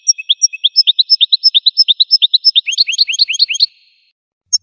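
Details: Goldfinch song as a continuous run of high chirps that speeds up into tighter, rising notes before stopping, ending with a single click.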